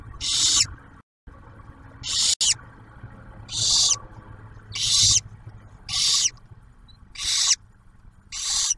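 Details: At a barn owl nest near Oak Harbor, Ohio, as the male delivers food and the female shares a meal with the first hatched owlet, harsh breathy hisses about half a second long come roughly once a second over a faint low hum.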